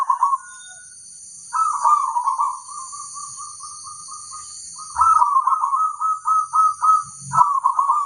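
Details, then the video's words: Local zebra dove singing a rhythmic series of short, evenly spaced coo notes, several in a row trailing off, then another faster rolling run, with a persistent high-pitched hum. "suara sang masteran burung perkutut crosing"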